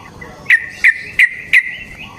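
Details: Sooty-headed bulbul, used as a lure for other bulbuls, giving four loud sharp chirps about a third of a second apart over a faint steady background hiss.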